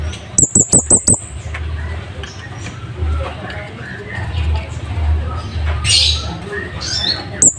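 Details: Scarlet-headed flowerpecker singing its wild-type song, described as loud and sharp and used as a master recording for training caged birds: a quick run of five sharp, very high ticking notes, then low rumbling background with scattered faint chirps.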